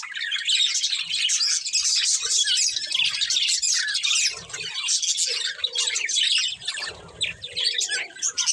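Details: Budgerigars, a breeding pair, chirping in a dense, continuous stream of high, scratchy warbles and squeaky notes, with softer low clicks and shuffling between bursts.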